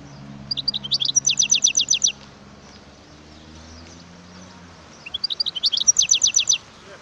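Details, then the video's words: Wild European goldfinch singing: two bright, rapid twittering phrases of high chirps and a run of fast repeated notes, each burst about one and a half seconds long, separated by a quiet gap with faint low background hum. "اسمع صوت الحسون البري"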